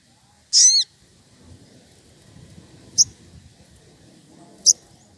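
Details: A wild sogon, stirred up and calling for a rival, opens with a quick descending twitter, then two isolated sharp high chips, over a steady low background hum.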